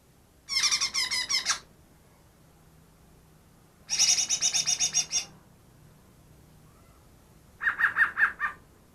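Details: Greater green leafbird said to mimic ten other species, caught two days before; two high buzzy rattling trills about three seconds apart, then a lower, rapid stuttering trill of about eight notes.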